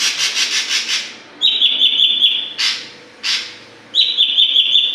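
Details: Oriental magpie-robin singing eagerly as it learns its song phrases; a rapid series of harsh rasping notes gives way to a sustained, slightly warbling high whistle, broken by two loud buzzy bursts before the whistle returns.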